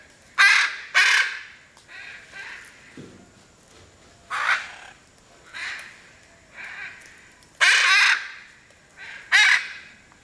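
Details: Hyacinth macaw at Piaui Cerrado Lodge, Brazil, gives loud, harsh, raspy squawks, about eight in ten seconds, some strong and some softer as if farther off.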